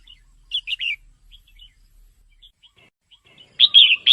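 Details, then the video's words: Red-whiskered bulbul female, calling to rouse males: a quick chirpy three-note phrase, scattered faint twitters, then a loud rich warbled burst at the end. "เสียงนกกรงหัวจุกตัวเมีย แก้ปัญหานกไม่เล่นราว ช่วยกระตุ้นนกกรงหัวจุกให้คึกคัก"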